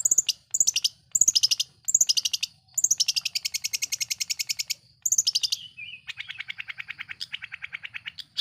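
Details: Long-tailed shrike in full lure song to rile other shrikes: dense bursts of rapid high chattering trills, then a lower, sustained rattling series. Faint low background rumble.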